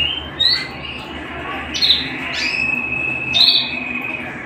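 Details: Canary singing at home: long steady whistled tones held low, broken by short bright buzzy bursts higher up, near 0.5, 1.8 and 3.4 seconds, over a soft background hiss.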